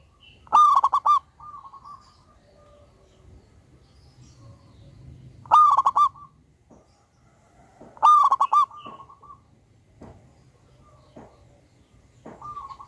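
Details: Local wild zebra dove with a big voice, singing strongly, used as a lure recording: three loud stuttering cooing phrases of quick clipped notes, spaced several seconds apart, with faint softer coos between them.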